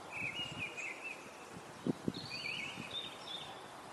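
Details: Eurasian nuthatch in the nest, Parque das Pedras Salgadas, Vila Real, 2 April: thin high trills in two short runs, with brief low taps and rustle below.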